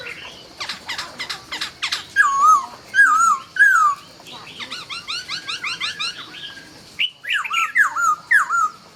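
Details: A laughingthrush sings at dawn, opening with rapid clicking notes, then loud looping whistles, a busy burst of quick chirps and more descending slurred whistles.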